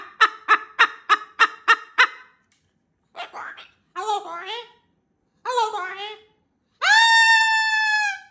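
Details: Pet cockatoo greeting grandma: a rapid burst of seven laughing notes, then short mimicked speech-like phrases, and finally a long drawn-out harmonic squawk.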